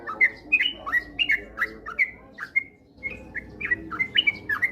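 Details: Sooty-headed bulbul lure recording, meant to spur other bulbuls into fast, busy 'ropel' singing: a continuous string of short bubbly whistled notes, rising and falling, some quick chirps between, with one brief gap near the third second.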